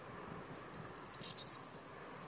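Corn bunting song: a run of high, dry ticks that speed up, then a shimmering jangle like shaken keys, over faint background hiss.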